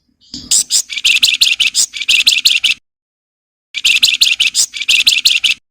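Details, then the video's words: Flowerpecker singing hard in the nyerecet style: two runs of rapid, dry, buzzy chattering notes, densely packed and high-pitched, separated by a short silence. "SUARA MERDU BURUNG FLAMBOYAN GACOR NYULING, NYIUL NYERRECET"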